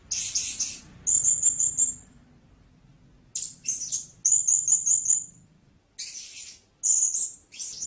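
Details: Blue-crowned hanging parrot alternating rasping high bursts with quick rows of thin, piping notes, each row about five notes long, with quiet pauses between.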